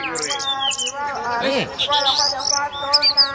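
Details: An Oriental magpie-robin in fighting-style song pours out loud, rapid whistles with rising and falling sweeps and sharp chirps, over a steady low humming tone and faint voices.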